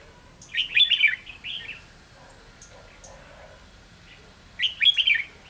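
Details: Red-whiskered bulbul used as a decoy bird for trapping, recorded 7 November 2016 in Vietnam: two bursts of quick, warbling whistled phrases, about one second each, separated by a quiet gap of roughly three and a half seconds.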